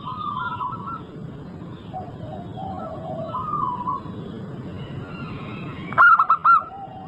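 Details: Local zebra dove song used to coax other birds into singing: after several seconds of softer, wavering background whistles, one quick phrase of three or four clipped, ringing coo notes arrives near the end.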